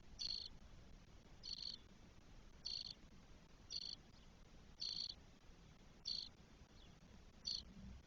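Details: Four twelve-day-old spotless starling chicks calling from their nest in Spain in early June 2022. Seven brief harsh, wheezy bursts come at fairly steady intervals of about one second, with near silence between them.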